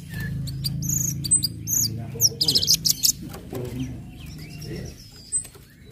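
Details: Orange-headed thrush song in ngecip, ngecit and ngeplong styles meant to provoke other birds to sing: a short burst of rapid high chattering notes, then fainter thin whistles, over a noticeable low rumbling background.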